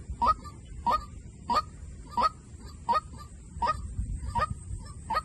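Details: Rhythmic White-breasted waterhen decoy calling: eight harsh honking notes roughly 0.65 seconds apart, the last ones somewhat softer, over rumbling low noise and a faint steady high hiss.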